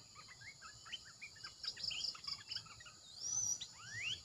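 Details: Decoy calling of a red-eyed bulbul: scattered short chirps and slurred notes, then a clear high upward-sweeping whistle near the end, over a constant high-pitched pulsing background hum.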